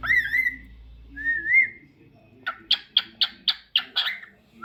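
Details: Singing pet cockatiel gives two drawn-out, wavering whistles, pauses, then a rapid run of seven sharp repeated chirps at an even pace, with a low hum beneath.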